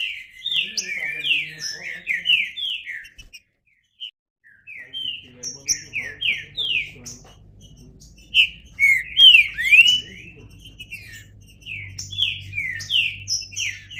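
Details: Green-winged saltator singing bursts of fast, downward-slurred whistled notes separated by brief gaps, with a soft low rumble underneath.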